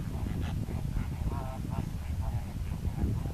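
Greater flamingos give nasal, goose-like honks, several overlapping in quick succession over a steady low rumble of wind or background noise.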